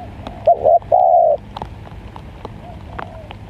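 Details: Spotted dove singing in wet-season luring: one clear phrase of a short double coo and a longer steady coo, followed by a faint distant coo and quiet background.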